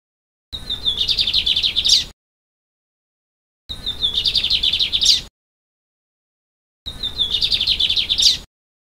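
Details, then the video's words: Three evenly spaced songs, roughly every three seconds, from a lined seedeater in Vila Pavão, Espírito Santo, Brazil: each a thin whistled start, a rapid buzzy trill and a final upward sweep. "BIGODINHO CANTANDO"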